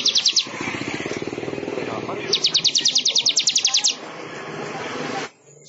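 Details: A weaver sings bursts of rapid, high, ticking notes, one short run and then a longer rattling string, over a muffled background murmur; a long recording used for tutoring songbirds.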